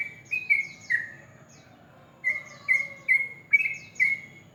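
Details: Ropel-style morning song of a sooty-headed bulbul: clipped whistled notes in two quick bursts separated by a short pause, each burst overlaid by fast, high falling chirps.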